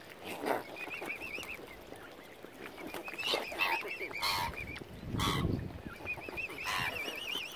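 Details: Angry, hungry mother swan at Lough Neagh, Oxford Island Nature Reserve, County Armagh, Northern Ireland, where algae has killed normal food supplies; several high, wavering warbled calls come in bursts over splashy water noise and low rumbling.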